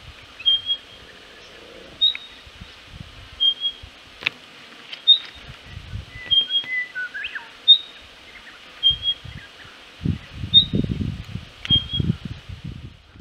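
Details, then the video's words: A vocal male spotted pardalote of the yellow-rumped Mallee subspecies (xanthopygus), at Patchewollock Conservation Reserve, Victoria, gives thin, high whistled notes, mostly in pairs, about every one to two seconds. Low rumbles of wind or handling come in near the end. "Vocal male Spotted Pardalote"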